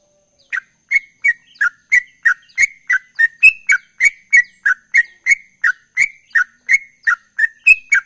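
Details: A sooty-headed bulbul starts up its chattering gacor ropel song, said to get an instant response. After a brief silence come even, quick chirps at about three per second, some downslurred, a few higher and whistled.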